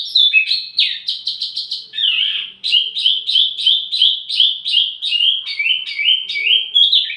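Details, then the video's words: Wambi mini singing as tutor audio for tledekan: a continuous run of high, quick, down-slurred whistled notes, each about a third of a second, in varied repeated phrases. "wambi mini burung pancingan sekaligus masteran buat tledekan anda"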